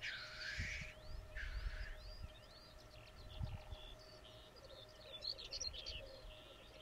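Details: Displaying black grouse on the Sallandse Heuvelrug, Overijssel, Netherlands, in a population supplemented with birds from Sweden. Two loud broad hissing sneezes, each under a second, over a faint steady low bubbling, with thin whistles of other birds overhead.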